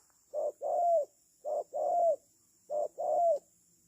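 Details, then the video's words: Spotted dove used as a decoy bird for trapping, three paired coos, each a brief note then a longer swelling coo that bends downward at the end, spaced over a second apart. "The Sound Of A Cuckoo Bird,Pikat Tekukur,Cu gáy Ninh Thuận"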